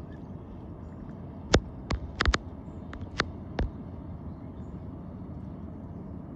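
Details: A quiet background hum is broken by a handful of sharp, isolated clicks or taps, with no animal calls.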